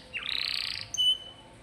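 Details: Canary, described as gacor (singing constantly) and used as a master song for training pet canaries, giving a short buzzy rattling trill followed by a single clear high whistle.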